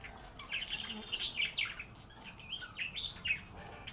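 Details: Happy budgerigars singing and chattering. A soft, continuous warble of bending, whistled notes and chirps flows at a moderate, steady level with no clear pauses.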